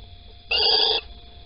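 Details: Little owl in Holten at 05:59 on 16 April 2020, the male delivering a caterpillar while the female is away; one abrupt, flat, raspy hiss of half a second, starting and stopping sharply against a quiet backdrop.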